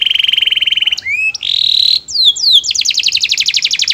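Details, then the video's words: Melodious canary song aimed at drawing other canaries into singing: a steady pulsed trill, short rising and falling glides, a flat whistled note, then swooping slurs building into a fast rattling tour. "Suara burung kenari bernyanyi merdu yang lain awas ikut bernyanyi"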